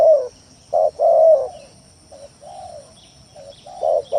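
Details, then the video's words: Lure song of a spotted dove, used to push rival or quiet doves into calling; loud hoarse coos open the phrase, followed by softer drawn-out notes and a louder closing coo, with a thin constant high tone behind. "Suara Pikat Tekukur Tanah full gacor Nekan lawan"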